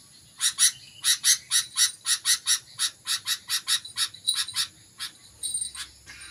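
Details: Sooty-headed bulbul starting to sing intensely: long runs of sharp, rapid chirping notes, about four to five a second, in uneven bursts that close with softer, thinner notes.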